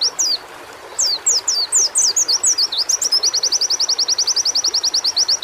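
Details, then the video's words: Song of a white-eye, used as training audio to make kept birds sing: a quick series of thin descending slurs leads into a long, steady, rapid trill of identical high chips, with soft hiss behind. "terapi menaikan mental fighter burung pleci"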